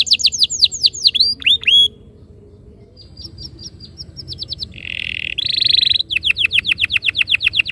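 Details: Canary singing for a training lure: clusters of falling whistles, a quiet stretch with short notes, buzzy sustained phrases, then a run of repeated downslurred notes.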